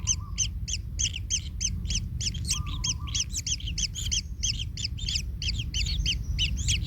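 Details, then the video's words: Kingfisher chicks in a nest, one trampled by its parent: rapid, harsh, rasping begging notes repeated about three times a second, with a steady low rumble beneath and occasional short flat tones. "Anak Tengkek Terinjak Induknya Hingga Kesakitan - Baby Kingfisher bird nest"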